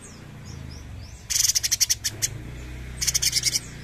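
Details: Bulbul, known locally as cucak cungkok, singing actively in rapid-fire 'gacor nembak' style: two loud bursts of quick, sharp, high chirps, each a stuttering run of about eight notes, over a faint low rumble.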